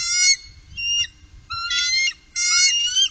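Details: Upper Mississippi, 2018: three bald eagles utter a short squeal, a faint whistle, then two longer, buzzy, harmonic chattering bursts with rising ends, above soft low background noise.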